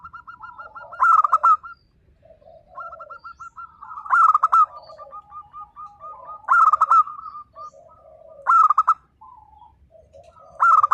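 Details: Zebra dove of a local strain singing eagerly, a song meant to get mute doves to respond: loud, fast, rattling coo phrases every two to three seconds, linked by softer, steady strings of short coos from more than one bird.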